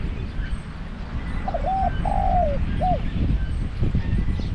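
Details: Spotted dove with a deep voice, kept caged as a decoy for trapping wild doves. One three-part cooing phrase rolls out, a flat double coo, a longer sliding croo and a short closing coo, against low rumble and rustling.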